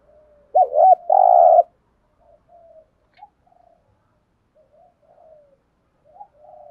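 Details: Spotted dove calling to provoke wild doves: a curved hoot and a long rasping coo up front, followed by a scatter of soft, low murmured notes at a distance.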